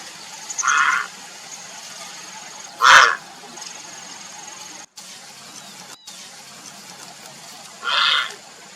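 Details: Grey heron (Ardea cinerea) calling for a mate with three separate hoarse, grating croaks, the middle one loudest and abrupt. Two brief silent gaps fall between them over faint hiss.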